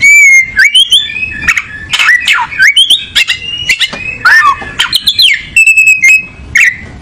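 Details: Oriental magpie-robin (kacer) pouring out a rich, varied song: whistled notes jumping in pitch, steep slurred sweeps, and buzzy trilled bits strung together without pause for seven seconds.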